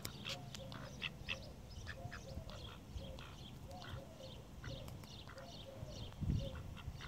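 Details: Call ducks with Indian runner and mallard ducks nearby: a steady chorus of short nasal quacks spread through the recording, over a constant low rumble and a brief thud near the end.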